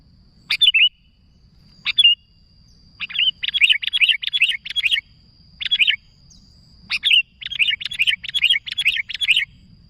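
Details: Energetic sooty-headed bulbul calling to others: a few scattered sharp chirps build into fast rattling series of bubbly, chattering notes, several bursts in a row, over a thin steady whine.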